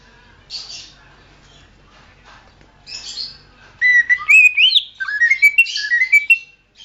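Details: Greater green leafbird, song for training songbirds; quiet hissy sounds first, then a loud sequence of clear whistles climbing in pitch, mixed with rapid chirps and slurred notes.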